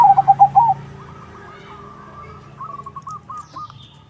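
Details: Zebra dove (perkutut) 'crossing' song intended to lure other doves to answer; one quick phrase of bubbling pulsed coos at the start, followed by faint, distant series of short dove notes over low hum.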